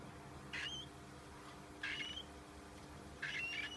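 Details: Young cockatiel calling three times, roughly every 1.3 seconds, each a short raspy burst topped by a thin whistle-like tone, over a faint steady background hum.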